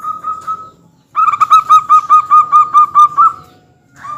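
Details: Local zebra dove lure song meant to make other birds join in: a long string of about eleven quick, bubbling coo notes on a level pitch, loud and evenly spaced, after a short held tone.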